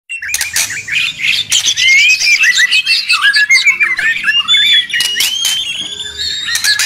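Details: White-rumped shama (murai batu), a very noisy bird used to make other birds answer and unload their song repertoire: a dense, restless stream of high whistles, slurred rising notes and rapid chattering phrases with clicking bursts.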